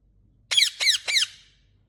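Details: Green ringneck parrot, a rose-ringed parakeet kept as a talking bird, gives three harsh, buzzy, high squawks in quick succession, each sliding downward, in a quiet indoor room with a low hum beneath.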